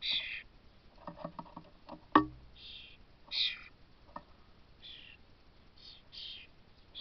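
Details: Common starling nestlings calling to be fed on 22 May 2024, giving scratchy, hissing rasps in short bursts, with a sharp knock and some softer lower clicking notes between them.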